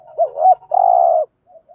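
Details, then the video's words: A single Spotted dove coo phrase, played to stimulate other doves to call: two quick looping hooked notes then a sustained grating coo, followed by a faint soft note. "cu cườm gù thúc bài bản giúp bổi rất xiếng gáy"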